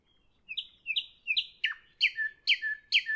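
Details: Nightingale in the evening repeats loud, rising-then-falling whistled notes about twice a second, becoming fuller and richer toward the end.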